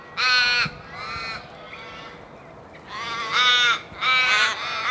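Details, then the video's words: Loud calls from a flock of crows: two harsh caws close together at the start, a quieter gap, then three strong, nasal caws in quick succession, each about half a second long, over low background noise. "Crow sound effect / Crow call / Crow Sounds / Crowsound / Flock of Crows Sound Loud"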